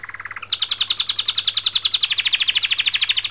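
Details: Canary song opening with a soft low trill, then jumping to a loud, fast rolling trill of evenly repeated high notes; a faint steady low hum sits underneath.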